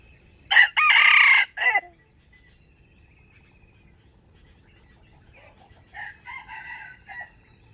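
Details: Wild chicken used as a trapping decoy, recorded 05/07/2025; a loud hoarse crow in three bursts opens, then after a quiet pause a more distant answering crow comes in several short segments.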